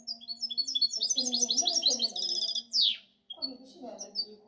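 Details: Goldfinch hybrid singing a rapid rattling series of high chirps, then a single harsh downward sweep, a short silence and a few scattered notes.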